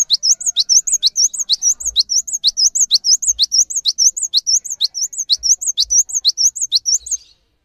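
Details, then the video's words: Cinereous tit singing steadily and vigorously, kept as a tutor bird for training other birds: a rapid run of high, sharp two-part whistled notes, each a quick swoop then a brighter upturn, repeated about twice per second for seven seconds. "GELATIK BATU GACOR ANTENG UNTUK MASTERAN"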